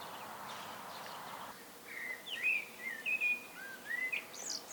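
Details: Common blackbird singing solo: after a stretch of low background noise, a series of mellow whistled phrases around the middle pitch range, some sliding and warbling, ending with a higher squeaky flourish.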